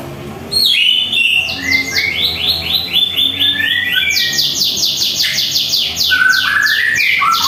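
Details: White-rumped shama singing at home in the morning for a master training recording: rapid runs of bright whistled notes, many sweeping upward, repeated in quick series over a dense high chattering background and low hum.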